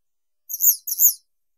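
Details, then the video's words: Western yellow wagtail (Motacilla flava) singing: two quick, high, thin chirps in succession, each a buzzy double-toned note about a third of a second long. "Как поёт Трясогузка жёлтая"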